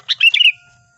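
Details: Lively sooty-headed bulbul song from a trapping lure recording: a rapid, bubbly run of five or six clear slurred whistles, bouncing up and down and trailing off in a short fading note, with a quiet background.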